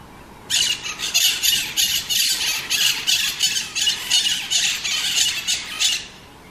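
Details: Maritaca, a scaly-headed parrot, calling in a rapid run of harsh, grating squawks, about three per second for five seconds, loud and rasping with no other clear sounds.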